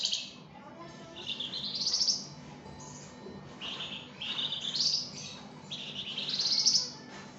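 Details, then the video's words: Flamboyan bird singing lively, a training recording for songbirds: three bursts of high, bright twittering phrases, each sweeping upward into a sharp whistled peak, separated by short quiet gaps. "𝗯𝘂𝗿𝘂𝗻𝗴 𝗳𝗹𝗮𝗺𝗯𝗼𝘆𝗮𝗻 | 𝗳𝗹𝗮𝗺𝗯𝗼𝘆𝗮𝗻 𝗴𝗮𝗰𝗼𝗿 | masteran flamboyan"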